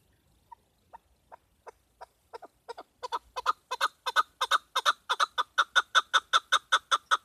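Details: Female chukar call used for hunting, beginning with faint spaced notes that speed up and grow steadily louder into a fast, even chuck series.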